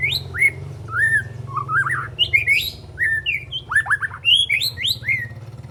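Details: A young spotted white-rumped shama of three months learning its repertoire: clear bright whistled slurs and quick descending flicks, with short pauses between bursts and a faint low hum behind.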